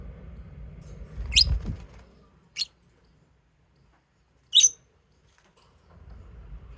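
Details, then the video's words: Lovebirds giving three short, sharp, high chirps spaced a second or two apart, separated by near silence, over a faint low rumble of room noise. "Love birds singing sound and chirping sound"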